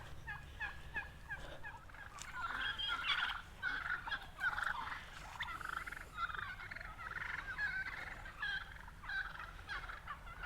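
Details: A flock of wild turkeys on a golf course in Redding, California, on a rainy day gobble and cluck almost nonstop in rapid, overlapping rattling bursts while chasing each other, over a low steady background rumble.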